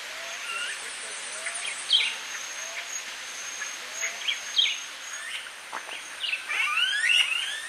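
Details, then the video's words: Smooth-billed ani calling in Viñales, Cuba, in July: scattered whiny, upslurred notes rise and fall at irregular intervals, with a steady high insect drone throughout. "Ani à bec lisse (Crotophaga ani) Smooth-billed Ani"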